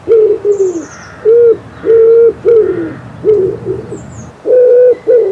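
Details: Common Wood Pigeon heard in spring in Poland, repeating low muffled coos in a rhythmic phrase of level and down-slurred notes, pausing briefly before resuming; faint high whistles of other birds above.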